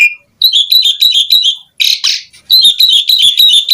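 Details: Rapid chattering of an Asian pied starling: fast strings of high, squeaky whistled notes broken once by a harsh rasping burst, then the quick chatter resumes.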